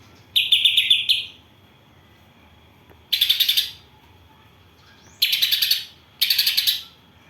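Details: Greater green leafbird singing a house sparrow and kapas tembak filled song: four bursts of buzzy, quickly pulsed chattering, the first with a clearer ringing tone, spaced by quiet pauses.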